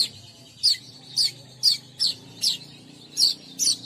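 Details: Weaver attraction call: a regular series of seven short, high, piercing chirps, one roughly every half second, each slurring downward, over a soft low background drone.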